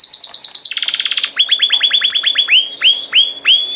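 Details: Singing canary: a rapid repeated high chatter, a short buzzy trill, then a run of quick rising whistles that slows into spaced upswept whistled notes, about three per second.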